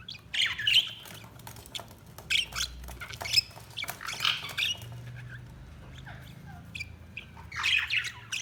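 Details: Budgie chirps come in short bursts of scratchy, high chatter separated by quieter pauses, over a faint low hum.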